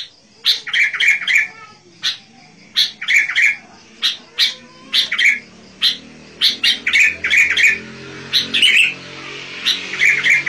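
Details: Sooty-headed bulbul singing lively, used to lure wild bulbuls: short bright whistled phrases repeated in bursts about every second, with sharp clicking notes between the phrases, recorded indoors.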